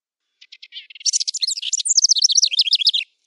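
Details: Wren song used as a training recording for caged thrushes, canaries and bush larks: a few soft ticks, then a fast, high, tumbling phrase of sharp whistled notes and trills lasting about two seconds.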